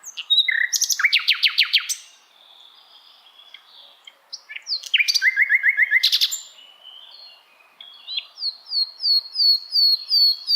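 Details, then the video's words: Asian brown flycatcher song for tutoring songbirds: rapid buzzy trills in bursts of about a second, separated by quiet gaps, then a run of evenly spaced high rising whistles at the end. "Sikatan londo masteran yang mudah ditiru segala jenis burung kicauan"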